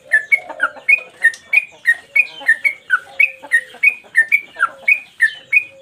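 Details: Caged sooty-headed bulbul singing energetically in one 'mbandul' song style while flicking its tail, a master recording for training birds. Clear whistled notes alternate high and low, about three per second, steady throughout, with faint chirps behind.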